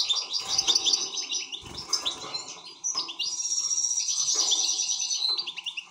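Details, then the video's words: Excited European goldfinch pouring out fast twittering song with a long buzzy, rattling trill in the second half. "حسون هائج"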